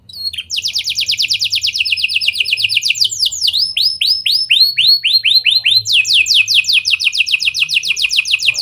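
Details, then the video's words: Canary performing lovebird and prenjak style phrases to coax other canaries into singing: a long rapid trill, then a row of separate sweeping whistles, then another fast series of sharp falling notes. "Kenari Gacor Cengkok Lovebird & Prenjak! Ampuh Buat Pancingan Kenari Lain Agar Gacor Panjang"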